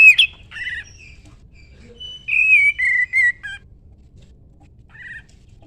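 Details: Sooty-headed bulbul song for tutoring other songbirds: a varied sequence of clear whistled phrases, some sliding downward, with short gaps between them and a quiet background.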